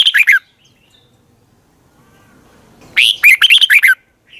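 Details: Red-whiskered bulbul giving its morning training song with long twisted double notes; a short warbled burst, a long quiet gap, then a rapid run of loud, sliding chirps.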